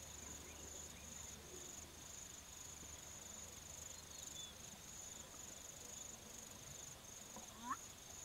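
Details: A male black-bellied bustard gives its two-note display call: a brief, sharp, rising squeak, then a quick low knock like a cork popping, set against a steady high insect trill.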